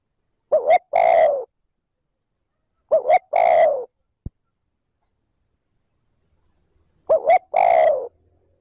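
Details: Spotted dove lure calling, trơn ròng style, to stimulate wild doves quickly: three clean phrases of two short hoots and a long falling coo, with long silences and a single sharp click.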